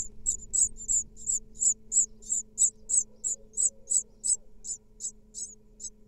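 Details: In Israel, 2022, the female great tit feeds her nestlings and cleans the nest box. The second-clutch brood answers with a rapid series of sharp, very high squeaky notes, about three a second, fairly evenly spaced over a faint background hum.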